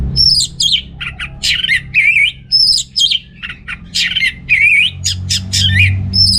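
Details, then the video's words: Vigorous song of an orange-headed thrush, played to prompt males lacking breeding drive: dense loud phrases of sharp high notes and swooping slurs, repeated in rapid rhythmic bursts throughout. "ANIS MERAH Gacor Untuk Pancingan AM Jantan yang Kurang Birahi"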